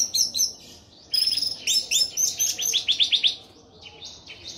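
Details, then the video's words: Tame orange-headed thrush sings a rapid, varied stream of high, sweet whistles and chattering trills in dense bursts, with brief pauses between phrases. "Anis merah gacor teler"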